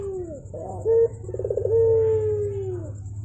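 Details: Javan turtle dove calling in the morning: a descending opening note, a brief loud hoot, a fast rattling roll of pulses, then a long, level hollow tone that gently sinks. A low hum sits beneath.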